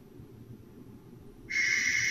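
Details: Barn owl, one of two present at night, giving a sudden loud, harsh, sustained hissing screech that starts after a quiet stretch of low background rumble and continues to the end.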